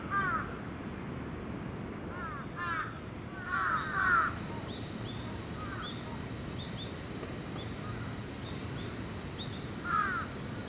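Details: Crows at their evening roost on Venus Terrace, a mix of young and adult birds: harsh, hoarse caws in short bursts of two or three, spaced several seconds apart, over a steady low rumble of distant noise.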